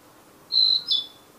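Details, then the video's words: Narcissus flycatcher singing in the wild; a brief high whistled phrase of two bright notes, the second slightly higher and slurred, against a quiet background. "Sikatan Narsis Trotol Gacor Di Alam Liar"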